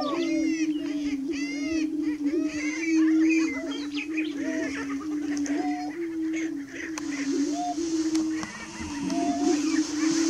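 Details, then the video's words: Several prairie chickens calling near dawn on 30 March 2018. A continuous low hum runs beneath bursts of sharp, arched cackles and whoops. Some whoops repeat quickly early on, and a few drawn-out higher notes follow. "Prairie Chickens"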